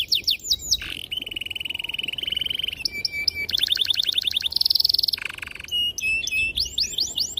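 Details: Canary singing a long, varied, clear and sharp master song used to prompt young canaries to learn: rapid rising chirps, a sustained buzzy roll-like trill, fast repeated notes and bright whistled phrases, high-pitched and continuous.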